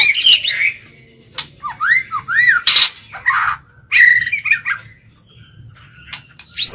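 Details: Caged white-rumped shama singing as a lure to challenge rival birds: scattered phrases of arched whistled notes, harsh squawky bursts and sharp clicks separated by pauses, over a low steady hum.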